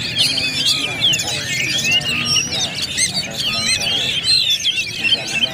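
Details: Several Oriental magpie-robins at a songbird contest area sing at once in a duel, a dense tangle of loud, varied whistles, trills and sweeping notes, with a low murmur of voices beneath.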